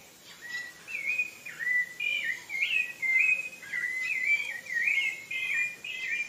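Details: Rufous-bellied thrush (sabiá-laranjeira) from Brazil singing a continuous run of clear whistled phrases, each rising and falling in short loops, about two per second, over faint background hiss.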